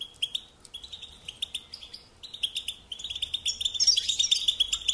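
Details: Goldfinch in care singing bursts of bright chirps and liquid twitters, several short phrases separated by brief pauses, rising in density and loudness toward the end with a fizzy, tinkling flourish.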